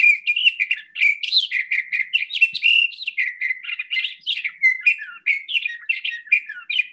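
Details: Sage thrasher song with little or no mimicry: a long, run-on warble of rapid, varied phrases, mid-to-high and slurred, pouring out without real pauses for seven seconds.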